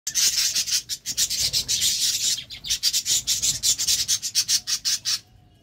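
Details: Budgies during courtship, their love time; rapid rasping chatter of repeated scratchy pulses, several per second, ending abruptly in quiet.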